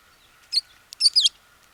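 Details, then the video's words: American tree sparrow from Wisconsin giving a brief burst of high, thin notes: one short chirp, then a quick pair of sweeping twittered notes, over a quiet background. "American Tree Sparrow"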